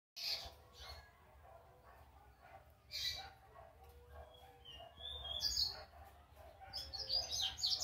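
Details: Young double-collared seedeater, a brown juvenile, learning its first notes: scattered high chirps and short twittered phrases with soft whistled slurs between quieter gaps, over low background hum.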